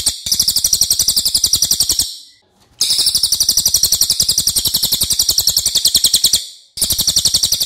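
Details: Loud, long-voiced Cililin, a crow relative, singing for use in training other songbirds: two extended bursts of fast, evenly pulsed high chatter separated by a brief pause, the second burst cut short by another gap.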